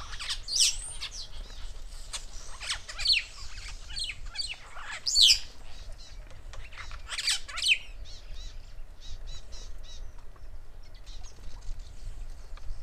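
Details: Rüppell's starling, also called Rüppell's long-tailed or glossy-starling, recorded in Kenya: harsh, squawky high calls in irregular bursts, several loud ones in the first eight seconds, then softer chatter over a steady low background rumble.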